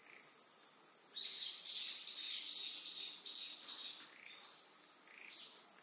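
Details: Eastern yellow wagtail on Amami Ōshima, Japan, giving a quick series of bright, high, short chirped notes for about three seconds, then a few fainter ones, over a steady high-pitched insect trill.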